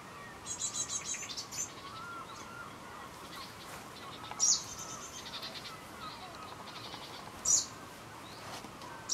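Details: Lanceolated warbler on Christiansø, Ertholmene, 30 July 2012, giving sharp, high ticking calls every three seconds after an opening burst of thin, buzzy chatter, over a faint steady background hiss.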